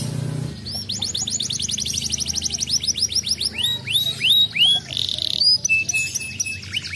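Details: Canary song to prompt other canaries to answer: a low hum at first, then a long fast trill of falling notes, broader slurred whistles, and a flat steady whistled tone.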